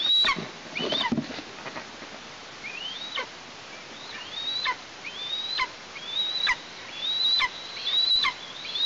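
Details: Young Eastern imperial eagles near their nest in Tatarstan in mid-August 2023, shortly after fledging on 14 August, with one juvenile back at the nest and one heard nearby. Shrill, upslurred screams end in sharp downward tails, about one per second.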